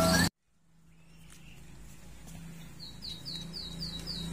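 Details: A captive white-rumped shama, recently finished moulting and set out in the morning sun, gives a quick run of about six bright, high, down-slurred whistles over a steady low hum, after a brief loud burst at the start.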